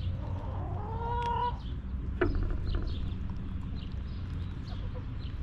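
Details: Backyard hens in their coop, one drawn-out harmonic cluck near the start followed by a sharp click and quieter scattered clucks over a low constant hum.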